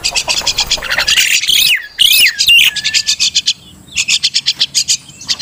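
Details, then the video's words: Crested myna, the Martinez of local usage, giving harsh descending squawks and a short flat whistle framed by long runs of rapid, rasping high chatter notes. "MARTINEZ BIRD / CRESTED MYNA"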